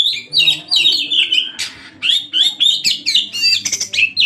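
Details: Oriental magpie-robin song made for luring birds: loud, rapid series of slurred whistles and scratchy chattering notes in short repeated phrases, with a faint low hum underneath.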